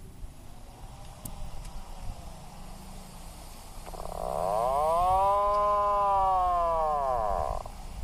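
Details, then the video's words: Atlantic puffin giving a single long arched groan that swells, rises and falls over about four seconds, preceded by faint ticks and soft background noise. "SUARA ANEH BURUNG ATLATIC PUFFIN"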